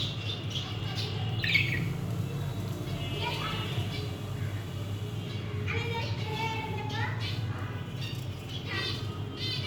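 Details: Budgerigars perched on a pot-shaped nest with sleeping chicks, chattering in scratchy, squeaky warbles and short rising chirps over a steady low hum.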